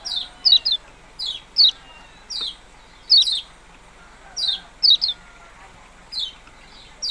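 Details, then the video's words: Yellow-bellied prinia repeating quick, high-pitched downslurred chips, often in close doublets, with brief pauses between bursts. "burung kecial kuning ciak ciak"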